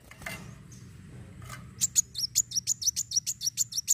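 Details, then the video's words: Van Hasselt's sunbird giving a fighting song to provoke other birds: after a second of murmur and a brief noise, a fast regular run of piercing high chirps, roughly three per second, continues to the end. "Kolibri wulung gacor narung fighter!"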